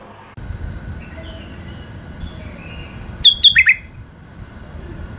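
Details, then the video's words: Tame caged bulbul from a male and female pair, heard in a quiet room: one short, bright phrase of quick whistled notes, slurring down and up, late in the clip after a near-silent stretch. "بلابل اليفات قفص تغريد حلو"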